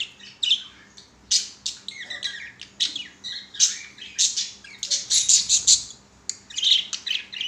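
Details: Kept budgerigars, including a yellow one, sing while playing on a swing: a busy, chattering warble of rapid high chirps, clicks and squeaky notes running almost without pause, with a few louder bursts.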